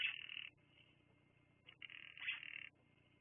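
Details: Bald eagle at the Fraser Point nest, recorded by a live nest camera, giving two drawn-out high squealing notes, each about half a second long, with a faint hum underneath.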